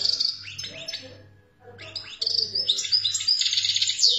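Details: Twittering song of a European goldfinch, Algeria: a burst of high chirps, a brief silence, then a loud, dense stream of tinkling, buzzy notes building to the end, over a soft low hum.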